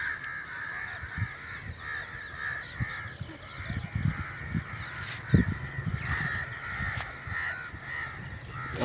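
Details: Crow calling in a natural setting. Harsh, hoarse caws repeat steadily and overlap through the whole stretch. Low thumps and rumbles break in around the middle.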